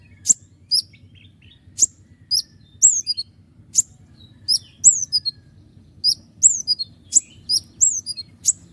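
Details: Konin, the common iora, in lively song meant as a tutor for other songbirds: spaced sharp high chips mixed with down-slurred whistled notes, delivered irregularly over a quiet low background hum.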